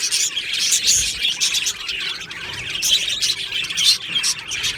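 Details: Budgerigars singing together in an aviary colony on 22 June 2025: busy, overlapping high tweets and buzzy warbles, swelling and easing in short waves.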